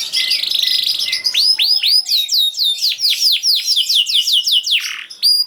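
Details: Canary song used as a lure to get silent canaries singing: a buzzy trill opens, then rapid down-slurred whistled notes repeated several times a second, ending in a short rasp and a bright high note.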